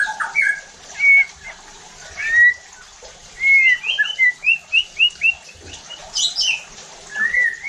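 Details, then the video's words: White-rumped shama song for provoking other shamas to sing: sharp whistles, then a run of about six short bright notes in quick succession and a closing rising phrase. "PANCINGAN EFEKTIF JADIKAN MURAI BATU NEMBAK KASARR UNTUK MENINGKATKAN EMOSI DAN BONGKAR ISIAN"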